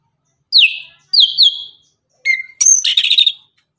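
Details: Orange-headed thrush singing in the morning, a lively song used to provoke other birds to answer: clear whistled phrases sliding down, then a quick burst of varied chattering notes, with short pauses between.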